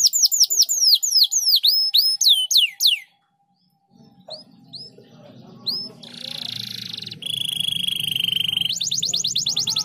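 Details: Canary song meant to prompt other canaries to sing: three seconds of quick whistled downslurs, a gap, then a low rumble with scattered chirps, a steady buzzy note, and a closing fast trill.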